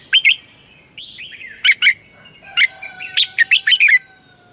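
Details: Red-whiskered bulbul singing as a lure for training caged birds in the morning; lively warbled phrases of bright, slurred, rising and falling notes, ending in a rapid run of six chirps; a continuous faint high tone is present.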